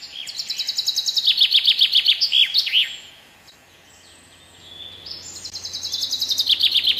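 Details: Common chaffinch (Fringilla coelebs) song: a rapid, descending series of sharp repeated notes closing with a flourish. After a quiet pause, a second phrase begins with the same quick rattling notes.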